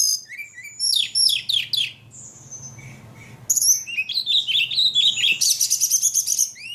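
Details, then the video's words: Ledekan in full voice: a series of quick downslurred whistles, a brief thin note, then fast jumbled chirps ending in a rapid buzzy trill. "Burung ledekan paling gacor"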